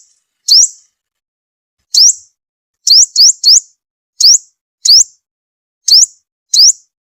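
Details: Sunbird lure call for trapping birds: crisp high rising upslurred notes, single or in quick groups of three, separated by pauses of up to a second and a half.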